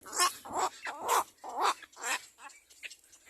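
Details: Black-crowned bird chick following behind its mother, screaming: loud, harsh, wavering cries with rich overtones, given in a rapid series of about two per second, growing fainter and shorter toward the end.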